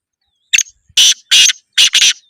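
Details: Three black francolins, two of the Sindhi type and one Kohati, give a harsh, grating call of four loud broadband bursts with a short gap between each. The last two bursts run close together, and faint music can be heard around them.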